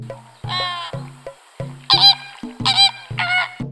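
Flamingos give loud, nasal, goose-like honks in short bursts over a soft musical background.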